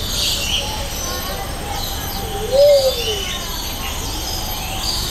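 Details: Luzon bleeding-heart at Jurong Bird Park, recorded on a Sony FDR-AX700 with a Rode VideoMic NTG: one soft, low hooting note that rises then falls, near mid-clip, over steady aviary hiss with faint distant chirps.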